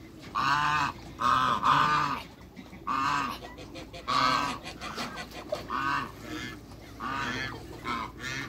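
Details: African geese, a pair kept in a backyard with other waterbirds, honk over and over, harsh trumpeting calls in uneven runs roughly a second apart with lower grunting notes between.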